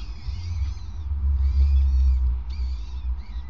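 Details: Peregrine falcon calls at the nest on 5 May 2019 around 20:54, as the male passes prey on the grating. Drawn-out, harmonic, whining calls come in three bursts over a strong, steady low rumble.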